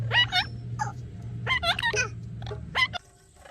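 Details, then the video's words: Rose-ringed parakeet making a string of rapid, harsh, wavering chirps and squeaks, several overlapping in quick succession over a steady low electrical hum, stopping abruptly near the end. "Ringneck Talking Parrot Natural Chirping Sounds"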